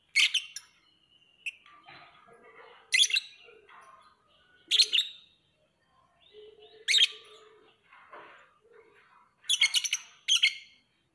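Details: Lovebird giving loud, piercing chirps in groups about every two seconds, with quieter buzzy twitters and a low hum between them.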